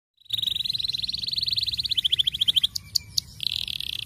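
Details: Starblue canary singing a long fast roll, used to prompt young canaries to sing: a rapid trill of high notes for two seconds, then sharp isolated chips and a buzzy churr.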